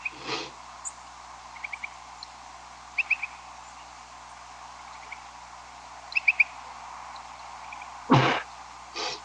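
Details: Upland Sandpipers in a big flock flying over a house in the middle of the night, about 2 a.m. on May 13, migrating; faint, quick clusters of high clipped notes, several bursts, with a couple of loud noise thumps late on.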